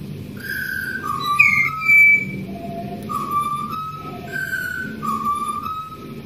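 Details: Wild Australian pied butcherbird, a magnificent singer, giving a melodious phrase of clear whistled notes stepping down and up in pitch, repeated about twice, with low background hum.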